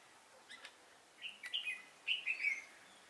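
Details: Red-whiskered bulbul decoy bird singing a fighting song to lure wild birds into a trap, recorded 10 December 2016: two short, rich, warbled phrases, bubbly and slurred, the second louder, after a few faint chips.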